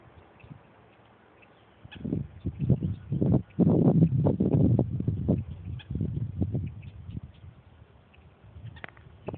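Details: A wading bird, possibly a white ibis, at Magnolia Springs State Park on June 6, 2011 at 11:59 AM. It gives a rough run of low, nasal honks and grunts, quickening to a dense burst mid-way before tapering off, over quiet outdoor background.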